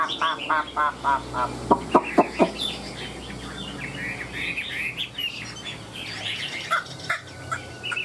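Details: Chinese hwamei in a cage, tail fanned and wings flicking, a bird said to sing well: a quick series of low clucks and knocks, then a long flowing stream of bright whistled notes.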